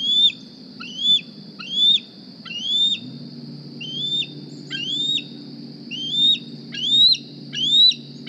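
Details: Begging squees of a young bald eagle that flew to the Decorah nest this morning wanting a meal: eleven high, thin whistles rising then falling off sharply, spaced irregularly, over low rumble.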